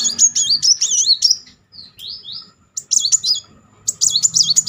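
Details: Singing Kolibri Muncang sunbird, a lure to make a stalled bird sing: quick, high, wavering trills, two brief rising slurred whistles in the middle, then renewed rapid rolling phrases.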